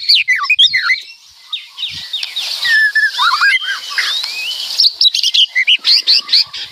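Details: White-rumped shama singing a loud, busy song full of varied phrases: rapid downslurred whistles, sharp chips and looping notes, with a quieter rattling stretch between bursts.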